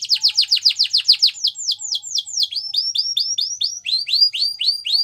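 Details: Female Belgian canary singing in the morning: a fast trill of sharply descending whistled notes, then slower arched notes, roughly four a second, bright and high-pitched, over a faint steady low hum.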